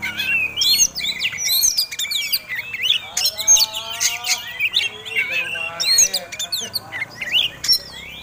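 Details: Oriental magpie-robin, a contest-type fighting bird, singing its aggressive song used to provoke other birds: dense, varied high phrases of sharp whistles, rising and falling slurs and scratchy notes, with faint lower tonal lines beneath.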